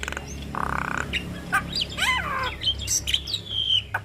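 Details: Javan myna singing in the long-rolling ngeroll panjang style, used as a tutor recording for young mynas: scattered harsh squawks and short whistles, a sliding rising-then-falling whistle, and a steady hum in the background.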